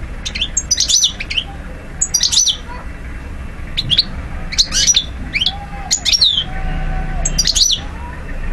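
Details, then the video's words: Algerian European goldfinch, 2012 recording, in steady song: repeated bursts of bright, liquid twitters and downslurred whistles, roughly every second or so, over a faint low hum. "Vidéo Carduelis* chardonneret* jilguero* حسون alger ( Algeria) DZ 2012"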